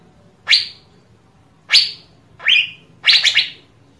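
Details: Asian fairy-bluebird, a recording meant to encourage other birds to sing: four sharp downward-swept notes, the last a quick stuttered triple, spaced about a second apart against quiet background.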